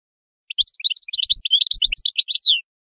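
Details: Lively European goldfinch song of dense, high twittering notes, quick and jingling, ending in a slightly drawn-out, descending buzzy phrase.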